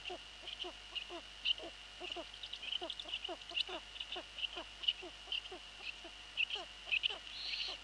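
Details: Eurasian eagle-owls at their nest late at night on 11 April 2013; the male delivers a pigeon to the young and the female comes flying in to scold him. Rapid series of short, sharp barking notes, steady background whine.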